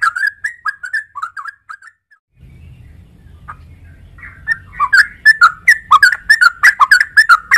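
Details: Sooty-headed bulbul (trucuk) singing bubbly whistled notes, falling silent for about two seconds while a low hum starts, then resuming with an accelerating burst of crisp chattering whistles, roughly two notes per second.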